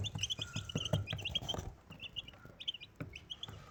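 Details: Desi chicken chicks, four young with one mother hen, utter rapid high cheeps in uneven bursts, accompanied by low thumping and shuffling sounds that fade halfway through.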